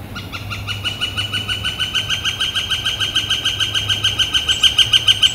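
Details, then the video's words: A Northern Flicker on a warm, clear, blue-sky day on April 28, 2014, calling and drumming: a long, steady series of loud, ringing wick notes, about five or six a second, growing slightly louder toward the end over a faint low hum. "Northern Flicker Calling and Drumming"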